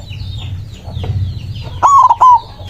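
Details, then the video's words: White zebra dove singing to challenge rivals. After background bird chirps, one loud rolling coo phrase with a stuttered start closes the recording. "Perkutut putih gacor suara besar ampuh memanggil lawan bunyi emosi manggung"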